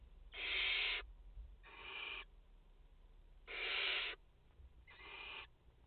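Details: Four harsh hissing screeches from a barn owl nest in France holding a mother and four chicks, 30 August 2021. Loud and softer calls alternate, spaced one to two seconds apart.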